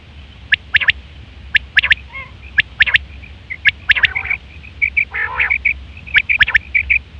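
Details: Female quail sounds for quail hunting: dense runs of sharp clicks and small tinny chirps, broken by a couple of coarse nasal bursts, continuing almost without pause over a low droning background.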